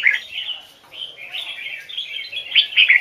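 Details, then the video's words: A red-whiskered bulbul with a wild Hoài Sơn forest-type song sings a lively, bubbly run of quick warbled notes, with clearer whistled double notes toward the end; no other sounds intrude. "Chào mào hót giọng chuẩn, âm kép"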